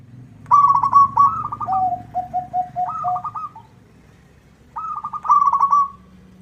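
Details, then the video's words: Local zebra dove calling vigorously so a rival responds: bubbling trilled coo phrases, then a string of five lower, evenly spaced coos, another trill, a pause, and a final rolling phrase. "Suara perkutut lokal gacor bikin nyaut lawan"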